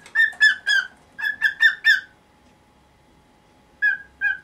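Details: Pet cockatiel kept in a covered cage, now nineteen years old, making a morning fuss so its cover cloth will be taken off. A quick burst of seven loud whistled calls is followed by a silent pause, then two more single calls.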